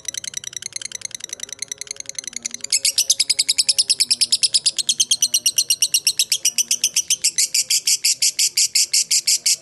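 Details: Lovebird fighter ngekek used to lure other lovebirds into replying: a quiet rapid chatter that swells into a long, loud, harsh stream of high chips, growing denser toward the end.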